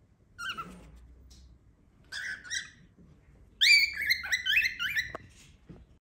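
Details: A cockatiel kept as a pet squawks loudly: a lone call, a paired raspy squawk, then a rapid harsh chattering series of screeches ending in a click, with faint room sound.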